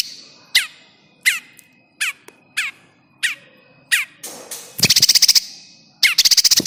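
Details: Bar-winged prinia call played to lure birds into traps, a series of sharp falling chips repeated about every two-thirds of a second, then two bursts of rapid high rattling notes; soft music in the background.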